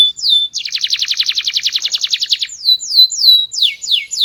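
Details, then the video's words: Small-bodied canary in full song, loud, sweet and varied: a whistled note opens, then a fast, even pulsed trill lasting two seconds, followed by a string of repeated downward-slurred whistles. "Burung Kenari Gacor, Body Kecil Suara Keras Merdu Bervariasi"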